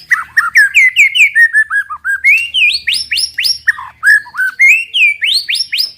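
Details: White-rumped shama singing in the 'tembakan' style used to provoke other birds: loud, clear whistled phrases in quick succession, many sharply rising or falling sweeps climbing to higher notes near the middle, a varied and energetic sequence.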